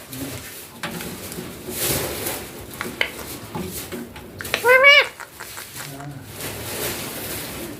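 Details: Green Indian ringneck parakeet chick kept at home and talking: a quick, rising, ringing utterance late in the clip, preceded by quiet indoor rustles and faint distant voices.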